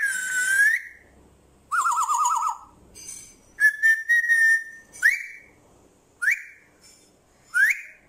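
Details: Whistling from an African grey parrot: a long steady whistle, a wavering warbled note, then several short notes that swoop up sharply, repeated at irregular intervals in a quiet room.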